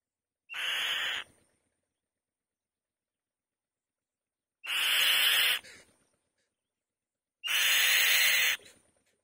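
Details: Three loud rasping screams from a female white-tailed kite on her nest, each about a second long and begun with a brief rising whistle, spaced about three and then two seconds apart.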